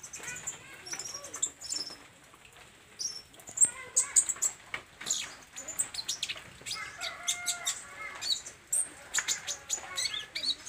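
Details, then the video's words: Olive-backed sunbird in full song, a restless series of thin, high-pitched chirps and quick twitters with brief trilled phrases, delivered in uneven bursts throughout. "SUARA BURUNG KOLIBRI NINJA GACOR"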